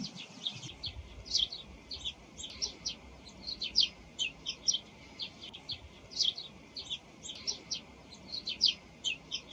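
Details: Eurasian tree sparrows in the morning give bright, clipped chirps in uneven bursts, a mix of song and calls that are hard to tell apart, with several notes close together over a steady background hiss.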